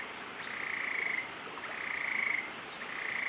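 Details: Stiles's tapaculo, an endemic of the Central Andes, singing at La Romera near Medellin, Colombia. Flat, rattling, buzzy trills repeated about every second and a quarter, with a faint rising high note before each.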